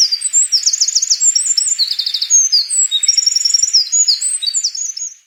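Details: Little grebe song in spring to early summer: shrill, rapid whinnying trills, sometimes overlapping as if from two birds, bursting and fading continuously for about five seconds.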